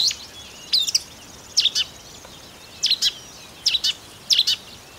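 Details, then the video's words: A marsh warbler in Russia gives pairs of sharp, high, downslurred notes, each pair separated by about a second of quiet, the pattern repeated five times against soft background hiss. "Болотная камышевка (Marsh Warbler)"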